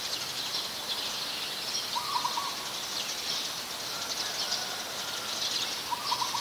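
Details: Very common resident Coppersmith barbet, Ubon Ratchathani, Thailand, 2 January 2021: two short rapid-pulsed low bursts about four seconds apart, with a continuous high buzzing hiss and a faint thin whistle in between.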